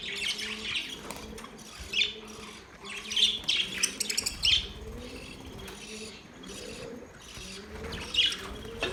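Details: Budgies chirping with scratchy, warbling phrases and sharp chirps around 2, 3 to 4.5 and 8 seconds, over a soft low hum and continuous background chatter.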